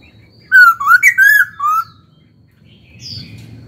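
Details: Young caged laughingthrush singing during training to stimulate song: one loud burst of clear, fluting whistled notes sliding up and down, lasting about a second and a half, then near silence with a faint high note.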